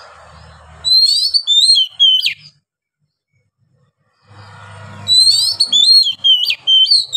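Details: Oriental magpie-robin (kacer) singing ngeplong with long breath; bright, high whistles and sharp downslurred notes in two phrases, separated by a pause of nearly two seconds, with low humming noise before each.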